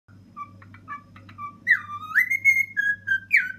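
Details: Ten-year-old male pet cockatiel singing on top of a kitchen fridge: soft short chirps, then a loud rising whistled swoop, followed by clear level and falling whistles, over a steady low hum.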